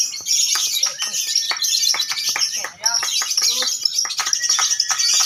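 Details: Lovebirds at a bird singing contest, several birds calling together: a dense, continuous high-pitched chattering trill with shrill squeaks. Sharp clicks and faint voices run underneath, and the chatter briefly drops out near the three-second mark.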